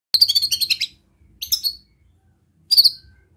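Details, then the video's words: White-rumped shama giving a relaxed besetan sound meant to provoke other shamas: a rapid buzzy rattle of high notes lasting under a second, then two shorter harsh bursts after pauses. "Suara Besetan Santai Mancing Emosi Murai Lain | PANCINGAN MURAI BATU"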